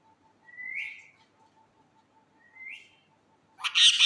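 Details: Pet parrot giving two rising whistles, each sliding upward and fading, about two seconds apart, then a sudden harsh, loud squawk at the end.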